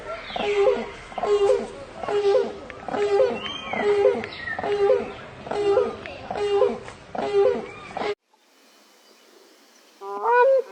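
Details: Grey crowned crane family with babies, giving a steady series of clipped, honking double notes about every 0.8 seconds for eight seconds, then a sudden cut and one louder, rising honk at the end.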